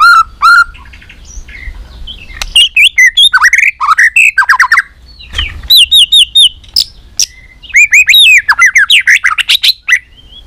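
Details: White-rumped shama singing a competition fighting song: loud whistled phrases, sharp rising and falling notes and rapid clicking trills in bursts, with brief pauses between phrases.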